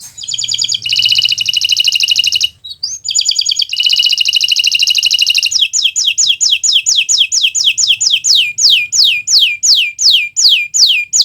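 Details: Kenari Nusantara canary in full song, kept as a master recording for teaching other birds to sing: two long buzzy rattling trills, then a fast series of sharp downslurred whistled notes repeated over and over.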